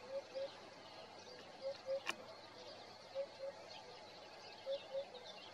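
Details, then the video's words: Eurasian hoopoe singing in the morning, recorded on a Nikon Coolpix P1000: soft, low hollow hoots in doubled pairs, 'oop-oop', repeated every second and a half over a quiet hiss, one sharp click midway. "Le Coucou matinal de la huppe fasciée"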